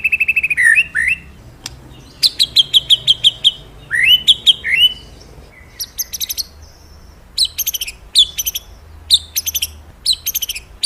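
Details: Magpie-robin delivering an extended, varied song of falling slurs, quick repeated notes and high chipping phrases spaced by short pauses, over a quiet background.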